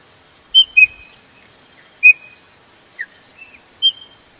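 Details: Female Chopi blackbird calling to excite males: paired piercing whistles, a drawn-out level whistle, a falling slur and a final sharp note, loud and clear with little background sound.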